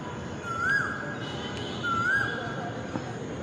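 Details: Asian koel calling from inside a tree in Dhaka after rain, two clear whistled notes swooping upward about one and a half seconds apart, over a steady low rumble.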